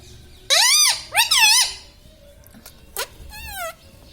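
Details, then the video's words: Pet parrot said to talk, repeating words like mummy and mithu; two loud, arched, nasal syllables, a short sharp squeak, then a final wavering drawn-out call, in a quiet indoor room. "Mummy bolo mothu || mummy ka pyara tota || bolo mithu mithu"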